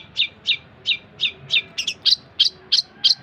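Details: Long-tailed shrike tutor song for training songbirds: evenly spaced descending chirps about three per second, shifting partway into doubled, higher, sharper notes.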